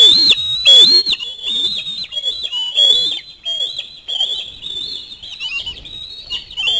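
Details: Osprey chick begging at a fish delivery, loud screams at first, then softer, run-together whistled wails that waver up and down, with faint wingbeat-like rustling.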